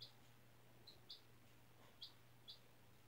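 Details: A single four-day-old domestic chick, hatched April 17 from an egg raised in a school class, kept indoors on freshly changed bedding; five short, high peeps spaced irregularly over three seconds against a steady low hum.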